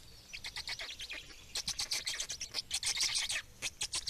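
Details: Black storks in Estonia during feeding on 17 May 2019: harsh, hissing, rasping bursts repeated in an irregular rhythm, roughly one per second, growing louder and denser toward the end.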